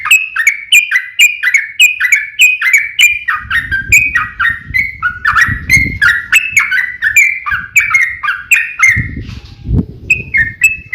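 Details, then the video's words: Yellow-vented bulbul giving a combative, long-trilled song meant to make other bulbuls reply; fast chains of gurgling, up-and-down notes, briefly pausing near the end, over low rumbling background noise. "KICAU SUARA trucukan gacor TARUNG ROPEL PANJANG"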